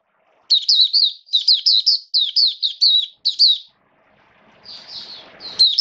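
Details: Oriental white-eye, a caged song bird in rainy weather, pouring out a string of quick high wavering chirps, then a rustling, scratchy gap before the song resumes.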